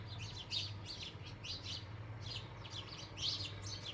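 House sparrows chirping busily, short bright chirps tumbling over one another several times a second, with a low steady hum in the background.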